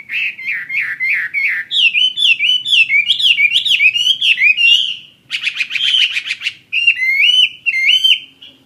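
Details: Chinese hwamei, a fighting-type songbird (họa mi chiến) offered for sale, pouring out continuous loud song: runs of rapid wavering whistles, a fast trilled burst near the middle, then several repeated bright upward slurs before it fades.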